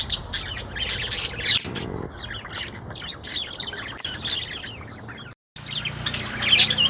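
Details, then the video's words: Sunda white-eye singing steadily in a mini aviary, recorded 1 November 2024: rapid high thin chirps and twitters in quick irregular bursts, with a brief dropout near the end. "Burung Pleci Buxtomi yang Selalu Gacor di Al Aswa Aviary"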